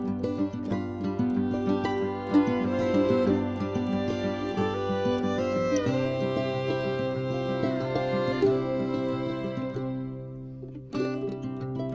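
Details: Only music plays, with bowed and plucked strings and no animal voices. The strings stay steady and sustained throughout, with a brief break near the end.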